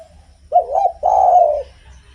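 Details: Spotted dove singing steadily, a song used to stimulate other doves: a quavering coo then a long, level, mellow coo, over a faint low rumble.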